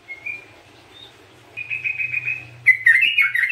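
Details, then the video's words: A yellow-vented bulbul in full song, played as a lure and therapy song: a thin whistle, a run of quick, even whistled notes, then a burst of bubbly, warbling phrases over a faint low hum. "TRUCUKAN GACOR"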